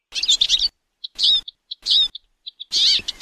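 A Eurasian siskin sings high, rapid twittering phrases mixed with short squeaky notes, in bursts under a second long with brief pauses.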